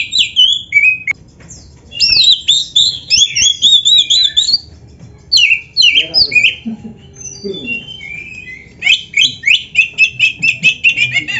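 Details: Lively Oriental magpie-robin in full, varied song meant to provoke other birds into answering: dense high warbling and scratchy chattering, a short lull, then rapid notes repeated several times a second with faint lower sounds beneath.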